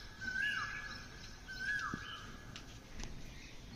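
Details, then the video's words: Morning call of an Asian koel: two whistled notes, each holding level before dropping away, about 1.3 seconds apart, against a hissing background with faint chirping of other birds. "Sound of Koyal morning time"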